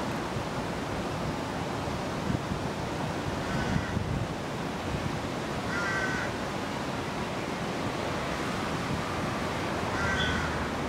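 Rook giving three hoarse, nasal caws about every three seconds, half-buried under a steady roar of wind and surf.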